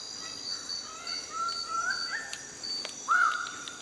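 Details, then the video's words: Magnificent riflebird calling during display: drawn-out whistled notes rising in pitch, ending in a louder, clearer upslurred whistle, over steady high insect buzzing and forest ambience. "Magnificent Riflebird display"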